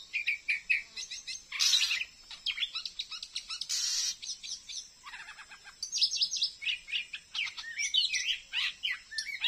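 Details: Wild Oriental magpie-robin caught on a glue stick near a new Dayak Kenyah settlement in Indonesia, still singing and challenging a decoy bird: rapid varied whistles and chattering notes, broken by two harsh, hissing rasps.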